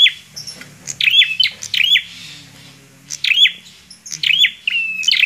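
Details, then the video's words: A bar-winged prinia sings in energetic bursts. Each burst mixes snapping high chips with brief level buzzy notes, and bursts repeat roughly every second after a pause. Soft low background hum. "PRENJAK KLAWU GACORR"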